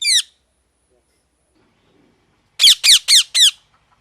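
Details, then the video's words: A parrot gives one sharp squawk, falls silent for two seconds, then repeats four rapid, evenly spaced harsh calls, each sliding downward. "Parrot Chirping Sounds"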